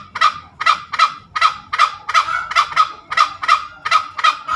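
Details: Junglefowl ngekek calling, hoarse grating cackle notes repeated at an uneven quick tempo, roughly two per second, over soft low background music.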